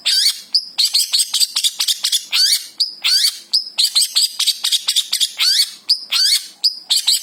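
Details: Long-tailed shrike from Java singing a varied, mimic-like medley: clusters of sharp chirps mixed with short pure high whistles, phrases repeating irregularly.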